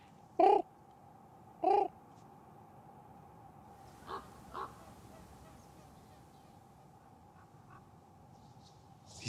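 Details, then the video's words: Crows in the Swiss Jura forests giving alarm calls, which signal anything unusual such as a fox passing by a lynx: two loud harsh caws about a second apart, then two fainter distant calls over a steady low hum. "They signal everything."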